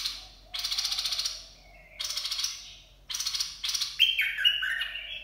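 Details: Bulbul Dok Taeng song used for training young birds and luring: several harsh buzzy chatter bursts with pauses, ending in a short descending fluty whistled phrase.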